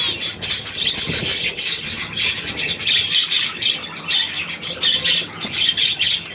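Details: A group of budgerigars chattering, rapid scratchy warbling broken into short bursts with brief dips in loudness, and occasional sharper squeaks.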